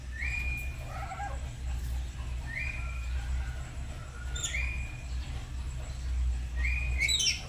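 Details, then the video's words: Pet black-capped lories kept at home, a duet in the morning while learning lively 'gacor' singing: short rising whistles repeated about every two seconds, with a few softer notes between, over a steady low hum. "Belajar Gacor pagi pagi | Duet Nuri Kepala Hitam"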